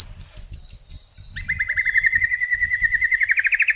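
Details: White-rumped shama song with many imitated phrases: a fast series of high descending notes, then a long rapid trill that slowly rises, over faint low background noise.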